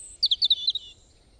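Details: A bird, one of the many different sounds a single bird makes: five quick, high, sharp chirps in a rapid burst, each dipping slightly in pitch, then a faint thin trailing note. The background is quiet.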